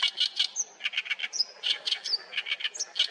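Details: Oriental reed warbler singing in a reed bed at Haenam: harsh, grating 'gaek-gaek' notes given in rapid chattering runs, mixed with brief high whistled slurs, continuing without pause for three seconds.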